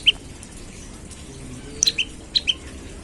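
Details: An olive-backed tailorbird's morning lure call, meant to set other tailorbirds singing: one sharp high chirp, a pause, then a quick cluster of four bright chirps.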